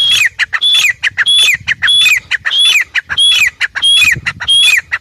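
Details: Grey francolin repeating loud, harsh, clipped calls with a whistled element that rises and then drops, in a regular rhythm of roughly two per second throughout, with little background noise.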